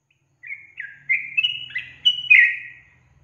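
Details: Lure song of a Yellow-vented bulbul intended to excite young birds: a cheerful string of bubbly, sliding chirps over two seconds, with a soft low hum beneath.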